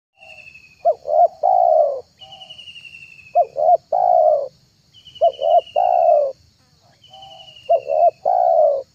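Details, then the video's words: Spotted dove lure call used to attract doves: repeated phrases of two short clipped coos followed by a long, full, slightly falling coo, about every two to three seconds, with a thin, high descending whistle before each phrase. "MP3 TEKUKUR PIKAT TERHITZ DI AKHIR TAHUN 2022,,pikat tekukur"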